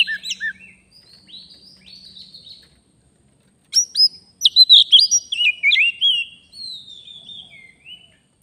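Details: Wild Oriental magpie-robin heard during a bird-luring session in Indonesia: short sweet whistled notes, then a pause, then a loud burst of varied rising and falling whistles and trills, fading into softer warbling.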